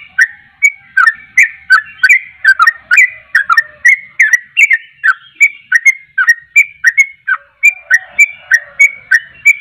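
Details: Energetic sooty-headed bulbul singing continuously, pouring out short, bright whistled phrases that swoop up and down, nearly three per second, steady and loud, with no other sounds.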